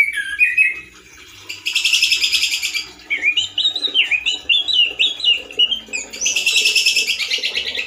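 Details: Loud, harsh singing from a male orange-headed thrush with little variation: a short whistled phrase, a harsh rattling burst, a string of zigzag whistled notes, then another harsh buzzy rattle.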